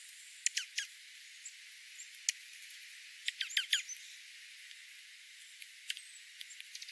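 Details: Dark-eyed juncos in winter oak woodland at 1000 feet elevation in the foothills of the central Klamath Mountains, Oregon; short sharp high chips and ticks scattered irregularly, some in quick pairs, with golden-crowned sparrow and spotted towhee also present.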